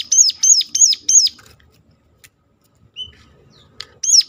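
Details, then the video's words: Sunda warbler, called ciblek gunung, giving its sharp calling used to lure other birds into song: four shrill arched notes in quick succession, a pause with faint ticks and a brief whistle, then one more note. "ngecall tajam ciblek gunung"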